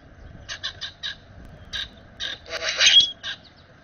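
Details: Common grackle recorded by a backyard bird-feeder camera while doing a puffed-up display, giving a run of short, harsh, broadband chack notes, then a louder squeaky burst with a thin rising whistle near the end.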